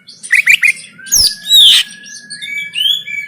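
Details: Oriental magpie-robin fighting song recorded by phone in Banten, Indonesia: three quick rising chirps, a harsh burst, a long flat thin whistle underneath, then two drawn-out rising whistles.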